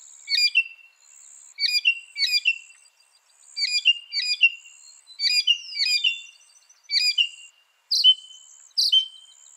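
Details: Northern mockingbird, a species said to imitate 200 sounds, repeating a crisp two-part chirp phrase again and again, roughly every second, ending with sharper, brighter squeaks; steady faint hiss high above.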